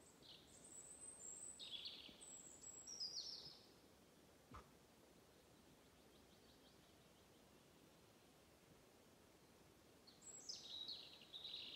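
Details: European robin singing at Galten, Njurunda, Sweden, on 10 June 2021: high, thin, twittering phrases with sliding whistles, two phrases at the start and another near the end, with a soft background hiss between them.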